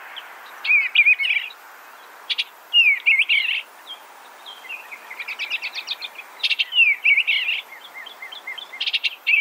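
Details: Eastern Bluebird giving short warbling phrases of slurred, wavering notes separated by brief pauses, with occasional higher rapid note runs and a couple of sharp clicking bursts; quiet surroundings.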